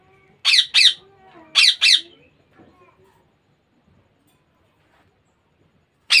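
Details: Young Indian ringneck parakeet producing two pairs of loud, grating squawks early on, then near silence broken by faint soft sounds, with one more harsh squawk at the very end.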